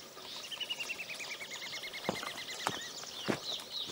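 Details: Common babbler singing: a long, even trill of quick repeated notes that slowly falls in pitch over about two seconds, followed by sharp clicks or taps and faint high chirps.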